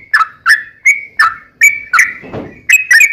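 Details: Sooty-headed bulbul lure song in the long rapid ropel style, meant to make other bulbuls answer: loud, bubbly whistled notes repeated about every half second, each with a sharp start and falling tail.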